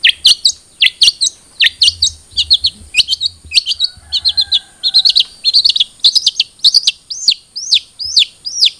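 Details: Long-tailed shrike (cendet trotol) song for getting a caged bird to sing: continuous rapid sharp chirps and twittering phrases, a few faint lower whistles in the middle, steady high whine behind.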